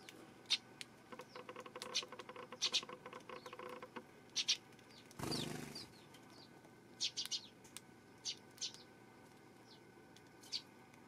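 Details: Eurasian tree sparrow recorded 12 September: soft, rapid chirping and twittering early on, then a burst of wing flapping, followed by scattered louder, sharp chirps against a low background hum.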